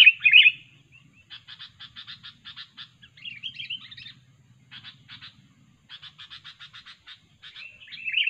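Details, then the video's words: Sooty-headed bulbul sound for lure trapping: an opening rich whistle, then repeated series of dry buzzy chatter pulses separated by short silences, with a warbled phrase midway and another at the end. "kutilang super ganas dan gacor"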